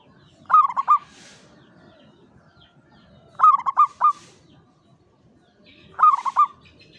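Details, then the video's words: Local Javanese zebra dove singing klowongan style from a classic Mataram cage. Clear low cooing phrases of three or four notes repeat about every two and a half seconds, with soft hissing sounds between. "SUARA PERKUTUT JAWA KLOWONGAN"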